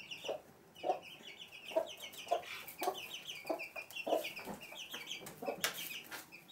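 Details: In a house room at Sandoval de la Reina in April 2016, a hen with chicks clucks softly and evenly, roughly every half second, while her chicks keep up a constant high-pitched peeping over it.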